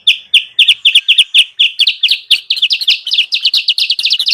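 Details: Lure calls of a sooty-headed bulbul, played to attract wild birds: rapid, steady chirping that grows denser and more chattering toward the end, notes running together.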